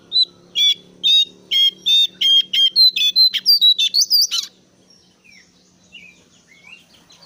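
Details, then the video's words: Brown-cheeked bulbul giving an insistent calling bout, used as a lure to get other birds calling in reply: loud, harsh, nasal notes repeated about twice a second, quickening into a high twisting flourish, followed by soft distant chirps. "PANGGILAN BURUNG JONGKANGAN COKLAT GACOR SUARA NGOTOT SAMBIL NGEPLONG"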